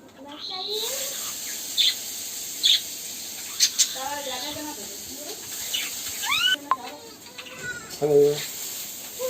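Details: Indian ringneck parakeets, kept as pet talking and dancing birds, producing a run of short, buzzy, speech-like syllables and sliding squeaky notes, with brief louder squawks near the end over a steady hiss.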